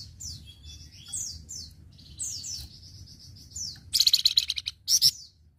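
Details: Flamboyan song used as a tutor recording for training other birds: a series of high, sweet descending whistles and level piping notes, ending in a short loud rapid chatter and a final harsh burst.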